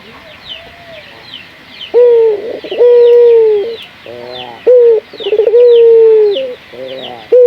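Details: Local puter dove used as a lure to stimulate other puter doves to sing: after a quiet start, loud coos of short clipped notes, stuttering rolls and long flat drawn notes, while small birds chirp high in the background.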